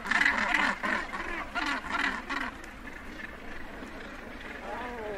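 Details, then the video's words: Northern gannets calling close up at a colony edge while birds land and take off: a run of rough, rasping calls in quick succession that fades after a few seconds into softer colony murmur. "Northern Gannet / Edge Of Colony. CU Calls And Flight Calls. Birds Landing And Taking Off."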